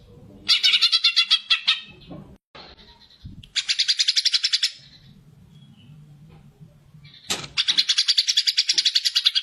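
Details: Greater green leafbird in fighter mode, singing to stir other birds: rapid stuttering trills of high notes in long runs, separated by quiet gaps with a low hum.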